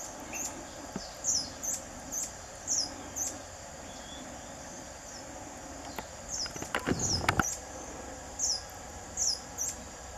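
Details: Buff-bellied hermit calling with a run of high, sharp squeaks in bursts of about one per half second, with a brief broadband rustle partway through and a steady insect drone behind.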